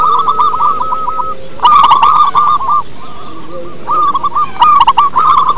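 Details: Overlapping rolling coos from local wild-type zebra doves, used as lure birds, come in several runs with short gaps, a lower faint murmur beneath and crisp chirpy bursts between.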